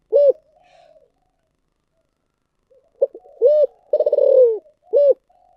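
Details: Thổ sấm-voiced spotted dove giving thúc gù cooing: short rounded coo notes, a long pause, then a quick rolling tremolo phrase sliding downward between clipped coos, against silence.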